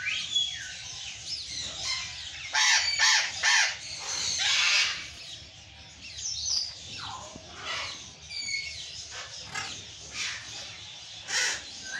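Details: Burrowing parrots, or Patagonian conures, screaming: a busy stretch of harsh, rasping squawks, often overlapping as if several birds call together, with louder clusters and quieter scratchy calls between.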